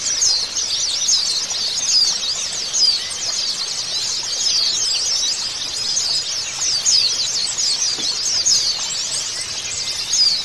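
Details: Therapy playback of white-eyes, used to make a quiet bird sing: a constant wall of high-pitched twittering and squeaky chirps from many overlapping birds, with slightly louder bursts every couple of seconds.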